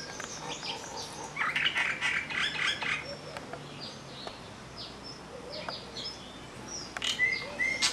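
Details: Common myna recorded in Vryheid, KwaZulu-Natal, South Africa, 12 December 2007: a rough, grating chatter for about a second and a half, then scattered short down-slurred notes and a pair of rising squeaky whistles near the end.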